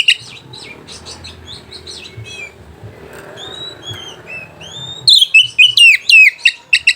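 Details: White-rumped shama song to provoke rivals and arouse mating: quiet scattered chirps and a few soft rising whistles with background murmur, then a sudden loud run of sharp descending whistled notes in the final seconds.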